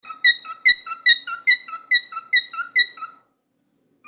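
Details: Naruto, a cockatiel, with a mirror, gives a quick series of bright, harmonic chirps, about two or three each second.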